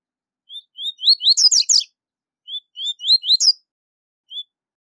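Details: Tui tui zel zel song of a rusty-collared seedeater, used to train young birds: two phrases of slurred rising whistles accelerating into rapid buzzy chatter, then a lone whistle, no other sounds.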